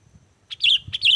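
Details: Sooty-headed bulbul as lure song for wild birds: a clear whistled phrase repeated twice, bright and rolling, over soft low rumbling.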